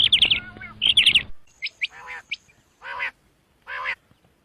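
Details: Quick runs of sharp, high chirps open the sequence of this common quail. Three drawn-out, nasal, buzzy calls follow, about a second apart, in quieter surroundings.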